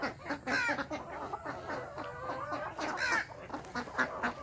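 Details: Village desi chickens at a natural-hatch farm in the morning, a crowded flock clucking in quick overlapping bursts, with high chick peeps rising above.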